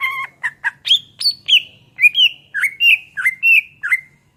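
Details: Energetic greater green leafbird song for tutoring songbirds: a cadence of rich whistled notes, each a short upslur or downslur, repeated roughly every third of a second, clean and without background noise.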